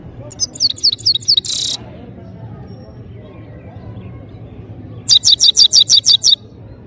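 A goldfinch sings two quick bursts of high, rapid twittering notes, the first ending in a harsh buzzy note, over a low background rumble.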